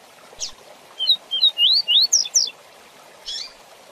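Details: Rusty-collared seedeater song, a fast 'tui tui zel zel' style used to teach young birds: a phrase of rising whistled notes that speed up, then sharp descending slurred notes, with a few soft chips before and after.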